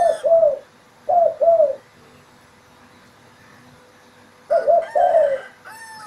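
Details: Spotted dove calling in the morning in an Indonesian village: two soft, low, two-note coos separated by a pause, with a faint high-pitched bird note near the end.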